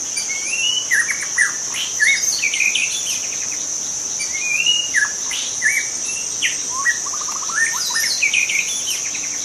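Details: Forest young shama singing a long varied sequence of clear whistles, sliding slurs, sharp chips and fast rattled trills with short pauses, over a continuous high-pitched insect drone.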